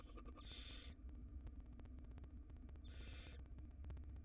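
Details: Wild barn owl nestling, very small, inside a nest box while gulping down a rodent tail: two rasping, noisy hisses about two and a half seconds apart, each roughly half a second long, with constant low hum behind.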